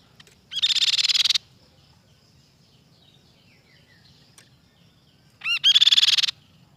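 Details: Silver-eared mesia giving two quick, high, chattering phrases of fast repeated notes, one at the start and one near the end, with near silence and low background hum between them.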